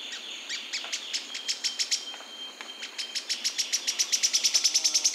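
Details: Yellow-chinned spinetail, a Brazilian bird, giving a high chattering series of sharp notes. The notes speed up and run together into a fast rattling trill toward the end, with a faint steady background tone.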